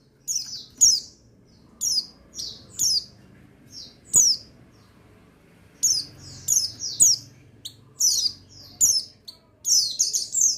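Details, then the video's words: Male buxtoni white-eye, used as a lure to stir other white-eyes into singing: bursts of thin, high chirps sliding downward, clustered in quick runs with short silent gaps, over a faint low hum. "Buxtoni Menaikan Emosi Burung Pleci Bahan Agar Pleci Bustomi Gacor Cepat Bunyi"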